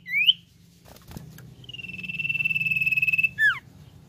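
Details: Rising whistled note from a common iora, then a sustained pulsing trill held for over a second and a half, finished by a quick downward-slurred note, with low hum and a soft knock behind.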